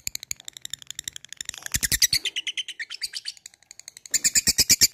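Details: A labet, a fighter bird, calling an opponent with a fast 'ngetik ngekek' chatter: dense trains of short, sharp, high ticking notes that swell into louder bursts near two seconds and again near the end.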